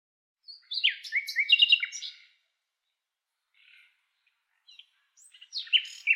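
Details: Blue-cheeked bee-eater in Kanhatti Garden at Soan Sakesar Wadi giving a burst of bright, rolling chirps for about two seconds, then faint scattered notes and another lively burst near the end; no other clear sounds.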